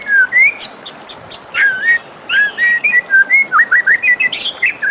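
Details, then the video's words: White-rumped shama in morning song, delivering rapid varied whistled phrases, upslurred notes and high sharp chips in a continuous lively stream. "suara merdu murai batu di pagi hari"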